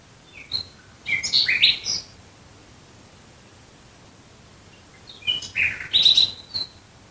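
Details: Nightingale singing at night near Dresden, Germany: two short bursts of high, chirping and warbling notes separated by a few seconds of quiet, with faint background noise.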